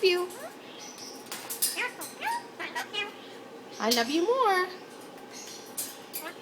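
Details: Indian ringneck parakeet, a household pet, talking to its owner: a run of rapid clipped syllables followed by a louder drawn-out, wavering squawk-like word near the end, the woman speaking alongside.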